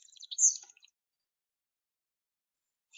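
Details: European starling, a hawk-mimicking bird nicknamed the "beatbox bird", gives a brief jumble of squeaky high whistles and dry clicks, under a second long, followed by silence.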